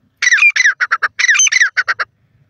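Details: Grey francolin calling: loud harsh, ringing phrase of two drawn-out buzzy notes followed by three shorter clipped notes, given twice in quick succession.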